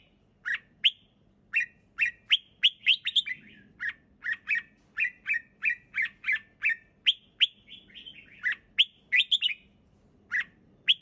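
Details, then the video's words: Red-whiskered bulbul singing in a relaxed, clear manner: a steady run of sharp, bright chirps and short warbled phrases, about two to three per second, with a faint low hum in the background. "เสียงนกกรงหัวจุก ร้องสบายๆ เสียงชัด!!"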